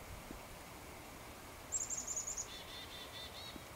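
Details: Black-capped chickadee in a flock foraging along spruce trees, giving a warning call, possibly at a person, puppy or nearby red squirrel: a rapid run of very high thin notes, then a few buzzy lower 'dee' notes, over faint hiss.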